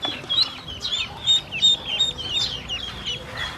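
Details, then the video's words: Baby ducklings hungry for feed and water, calling in short, piercing, slightly downslurred peeps, roughly three a second, several voices overlapping. "Hungry baby ducks"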